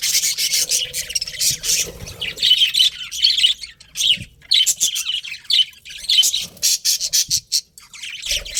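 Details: Pair of pet budgies chirping busily, rapid buzzy squawks and twittering notes in clustered phrases, with short gaps and a dip to near quiet just before the end.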